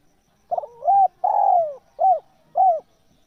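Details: Spotted dove cooing, used as a lure sound for wild doves: a rough stuttered opening note, a long falling coo, then two short arched coos, all in about two seconds, against a quiet background.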